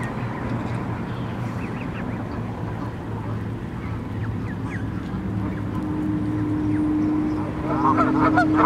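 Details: Canada geese with goslings, 23 May 2014, give low, nasal honking calls over a steady background rumble, with a louder cluster of calls near the end.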